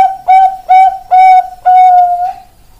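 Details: Bangkok-type zebra dove voice: three short, bright coos, then a long, steady final note that slowly fades, recorded close and clean.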